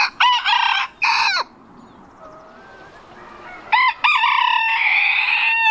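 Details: Rooster crowing: two loud harmonic bursts open, followed by a quiet pause with faint distant crowing, then another strong, drawn-out crow that breaks into a rough, sustained ending.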